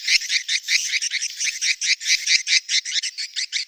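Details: Mating-call chirps of swiftlets: fast regular train of raspy high notes, roughly five each second, with brief gaps between pulses.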